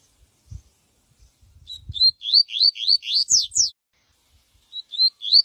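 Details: Yellow-bellied Seedeater singing a "viviti"-type song for tutoring: a quick run of about a dozen high, rising whistled notes that speed up and climb, then a few more after a pause; faint low thumps.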